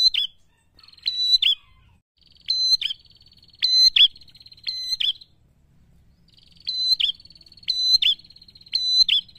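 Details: Loud prinia song for provoking rivals, with sharp high notes clustered in pairs and threes over a long buzzy trill, a pause near the middle, then the pattern resumes.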